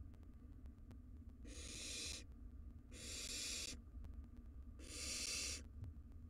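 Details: Three loud, noisy screeching hisses, each under a second long and coming about every one and a half seconds, as wild barn owl nestlings battle over a mouse in their nest box; low hum in background.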